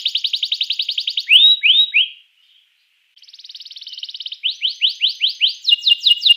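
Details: Canary song used to stimulate other canaries to sing: rapid trills of high buzzy notes, then repeated rising upslurred whistles, a brief silence, a fast even trill and more rising sweeps with a steady high whistle.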